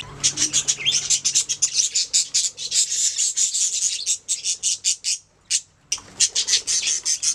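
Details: Budgerigars chirping in fast trains of short, high, scratchy notes, several per second, pausing briefly near the end before the rapid chirps resume.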